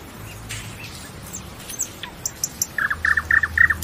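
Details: Nightingale singing: scattered high chips and short whistles, then a fast series of clipped notes near the middle of its range, repeated about five times a second toward the end, over a faint low hum.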